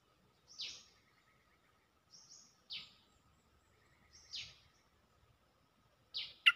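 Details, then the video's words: Cream-vented bulbul calling for a mate, looping its call: brief high downward-sweeping notes, each sometimes preceded by a faint thin whistle, repeated roughly every one and a half seconds over a low steady hum. "เสียงนกดอกแตงEp.155 สับไม่หยุด!! เสียงเรียกคู่ เพลงดี ร้องวน Suara pikat merbah lekir gacor"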